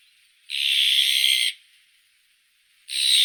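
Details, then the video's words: Azure-winged magpie: a one-second grating, raspy screech, then a quiet pause of over a second, then a second identical rough call begins. "Как поёт Сорока голубая (Cyanopica cyana)"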